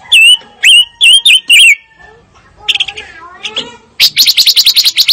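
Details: Fire-tailed myzornis giving five loud, curved whistled chirps, a soft jumble of quieter notes, then a fast run of ringing trilled notes.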